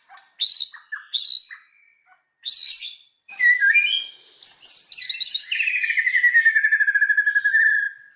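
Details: White-rumped shama lure song to provoke other shamas: a few separate clear whistled notes, then a rising flourish and a long rapid rattling trill falling gradually in pitch.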